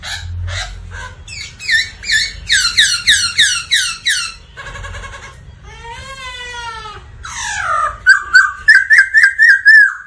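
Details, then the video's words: A Black laughingthrush sings hard for voice-training other birds. Rapid descending chips give way to a buzzy rattle and a long wavering nasal wail, ending in a quick series of ringing whistled notes. "Chim khướu Mun hót múa kích bổi cực căng"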